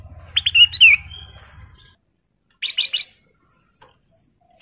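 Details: Male sooty-headed bulbul in breeding condition calling for a female: two short, bubbly phrases of quick chirping notes, each under a second, with a low hum early on.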